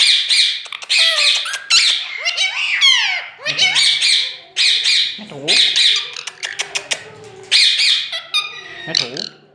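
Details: Pet green ringneck parakeet giving loud, shrill, harsh squawks in repeated bursts, mixed with high chattering and downward-sliding notes.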